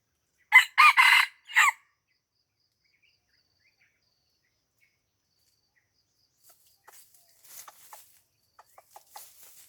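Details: Crow of a red junglefowl at Lamteuba, Aceh, during luring close to houses: a brisk four-part crow, hoarse and abrupt, followed by several seconds of quiet and then faint taps and rustles.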